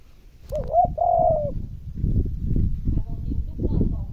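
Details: Spotted dove calling to provoke decoy birds into cooing: one clear two-part coo early on, a quick wavering note then a sustained mellow tone, followed by low rumbling and thumping noise.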